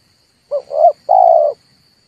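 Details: Red turtle dove call used as a lure to provoke birds into calling for trapping: a short low coo, a rising swelling coo, then one long steady coo, all mid-low and hollow, over a faint constant high electronic whine.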